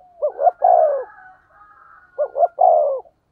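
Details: Spotted dove in the 'thổ sấm' voice, played to stimulate other doves. Two phrases of a double note and a long falling coo, linked by a faint sustained higher tone.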